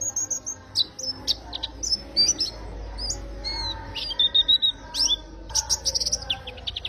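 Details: Melodious, vigorous song of a warbling white-eye: bright, high chirps and brief twittering trills in irregular clusters, with a few falling whistled notes and sharp clicks, running continuously with little pause.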